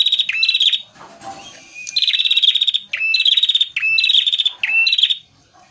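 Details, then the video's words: Lively singing from a male red prenjak (prinia), kept as a lure: five buzzy pulsed bursts, each opening with a short upslurred note and lasting under a second, given in quick succession with brief gaps. "pancingan prenjak merah gacor jantan full materi"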